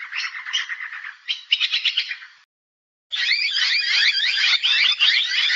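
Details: Noisy miner (Manorina melanocephala), a social, aggressive native Australian honeyeater, giving harsh, rasping notes in quick runs, a brief pause, then a dense stretch of loud, scratchy chattering.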